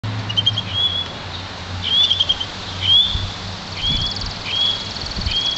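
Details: One-year-old Yarrell's siskin mule bred from an intensive green Fife canary, giving short thin rising whistled notes about once a second, spaced by pauses, over a low background hum.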